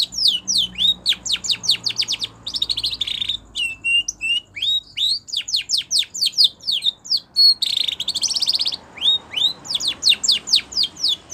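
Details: Spanish Timbrado canary song used for training canaries: rapid series of sharp descending whistled notes, interrupted by dense buzzy trills and rolling passages, then quick falling notes again, continuous and high-pitched.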